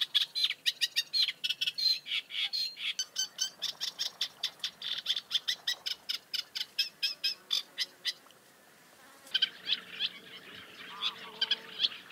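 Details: Great reed warblers (Acrocephalus arundinaceus) chatting: a fast run of harsh, croaky notes repeated several times a second for about eight seconds, a short pause, then rougher, uneven grating phrases.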